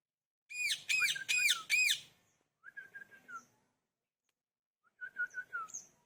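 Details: Parrot's natural calling: four quick, harsh, arched squawks, followed by two softer groups of short, flat whistled notes after pauses.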